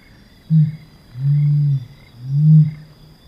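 Helmeted Curassow giving three very deep, humming booms: a brief first note, then two longer, drawn-out hums about a second apart, over a faint steady hiss.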